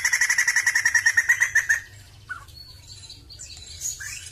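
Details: Sumatran laughingthrush, a crested bird, ending a rapid pulsed trill of quickly repeated ringing notes, followed by quieter scattered chirps and soft slurred calls over a low hum.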